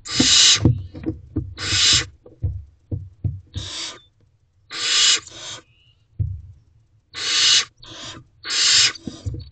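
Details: Four Barn Owl owlets in a nest box on an evening in May, two standing, producing harsh, breathy hissing screeches about a second long in irregular bursts, mixed with soft low thumps and shuffling.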